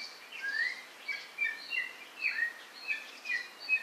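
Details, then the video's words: White-rumped shama song: soft, distant whistled phrases of short slurred notes, repeated roughly every half second over a hissing background. "Murai. Batu"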